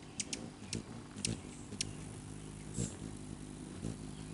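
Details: Rufous hummingbirds fighting to perch on a man's finger on May 20, 2020, give sharp, high, clicking chips in an irregular scatter of about six notes over a low, steady humming drone.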